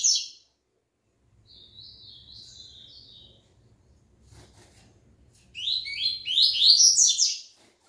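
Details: Double-collared seedeater returning to song after its moult sings bright, high chirps and slurred notes, a quieter warbled phrase first, then a loud rapid burst at the end, with faint background hum.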